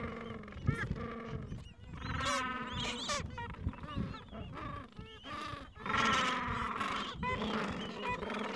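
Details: Gentoo penguin breeding colony in the Falkland Islands with chicks two to three weeks old, mild afternoon; overlapping harsh, throaty braying calls rise and fall in bursts, several birds calling amid steady low background rumble.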